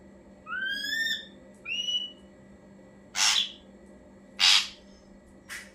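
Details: Ashy drongo as a bird-training lure: a rising whistled note with ringing overtones and a shorter sharp whistle, followed by three widely spaced, loud, rasping harsh bursts about a second apart, with a faint steady hum behind.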